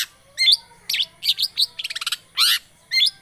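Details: Lure recording of a long-tailed shrike meant to get a silent bird singing: loud grating notes, a quick stuttering rattle of short chips, and squeaky, wavering phrases.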